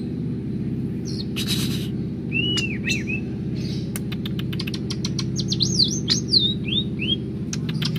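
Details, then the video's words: Energetic singing from a kept greater green leafbird, with a short noisy burst, curved whistled notes, rapid ticking, and a lively wavering series of looping whistles, over a steady low hum. "cucak hijau gacor dor"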